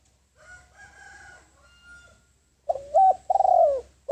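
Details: Spotted dove decoy calling wild doves in: faint, thin, sustained tones at first, then a loud phrase of mellow coos with a long, slurred, falling middle note.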